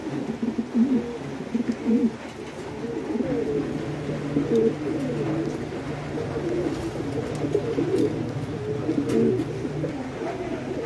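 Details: Domestic fancy pigeons kept at a farm in Bangladesh give a dense, continuous chorus of low, throaty coos, many birds overlapping without pause, over a steady low hum.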